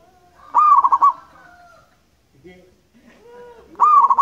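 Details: Local zebra dove (perkutut) of wild stock in full song. Two bright, rapidly pulsed coo phrases are separated by a quiet gap with faint soft calls.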